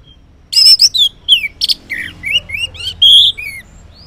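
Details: Orange-headed thrush singing in the morning, ngeplong style, as a lure for non-singing males: a continuous tumbling jumble of slurred whistles, buzzy notes and bright chirps.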